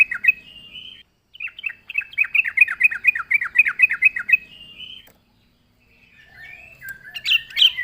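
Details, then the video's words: Lively Yellow-vented Bulbul (trucuk) song for luring birds: a rapid run of bubbly, bouncing chirps repeated several times a second for about four seconds, a pause, then further sharper chattering notes at the end. "suara burung trucuk gacor RAJA PIKAT pandai memancing bunyi trucukan bahan dan ombyokan"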